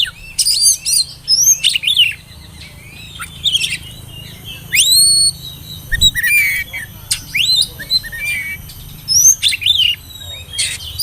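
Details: Oriental magpie-robin whistling song used as a lure to get young birds singing, scattered clear whistled notes and sharp rising and falling phrases with pauses, over steady background hum.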